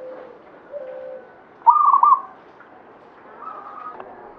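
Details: Local zebra dove, Banyumili katuranggan, gives one clear trilled coo near the middle. Faint, lower steady coos from other doves come before and after it.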